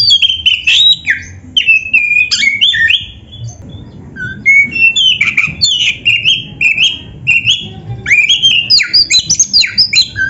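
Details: Oriental magpie-robin delivering a rich master song meant to train caged songbirds: dense, rapid runs of whistled and chattering notes, sliding up and down, nearly continuous over ten seconds with one short pause.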